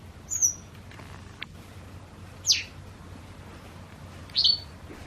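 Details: White wagtail from a pair seen changing toward spring, uttering three crisp high chirps spaced roughly two seconds apart, each a brief slurred whistle, against faint low background noise.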